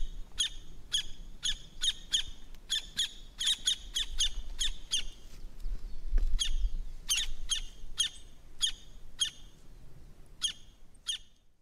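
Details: Campo flicker (Colaptes campestris), a large South American open-country, ground-dwelling woodpecker, singing: loud, sharp, harsh ringing notes repeated about twice a second in two long series separated by a short pause, over a faint low rumble.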